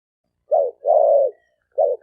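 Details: Male spotted dove calling to excite females, recorded in 2020: a short low coo, then a longer level coo, then the start of another short coo. The mellow hollow notes sit at one pitch over a silent background.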